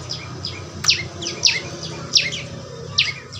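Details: Loud, sharp chirps from a young prinia repeat every half second or so, each dropping quickly in pitch, over a steady hiss of background noise; natural training sound for getting a bird to sing.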